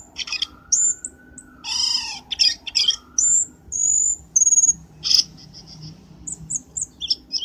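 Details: Black-winged starling call used as a lure for trapping: a slow low sliding tone under high whistles, loud harsh rasping bursts, then scattered short high chirps over a humming background.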